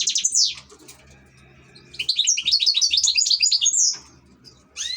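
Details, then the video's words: Ornamental caged European goldfinch delivering a fast, liquid twittering phrase of quick repeated rising-falling notes lasting about two seconds, opened and closed by bright sweeping chirps; low hum in the background. "#الحسون# احلى تغريد في طيور الزينة"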